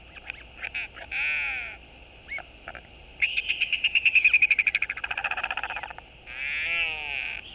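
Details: Royal albatross chick greets its returning father with a sky call before a feeding, recorded on 31 March 2022. Scattered short notes lead into a fast, throbbing run of pulsed calls that build, then taper. Other birds chirp amid constant hiss.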